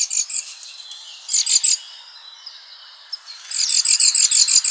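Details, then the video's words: Very high, bright chirps from a feeder bird in a summer garden, delivered in quick rhythmic runs of about three per second, pausing, then resuming in a longer fast series. "Nice birdies in summer garden"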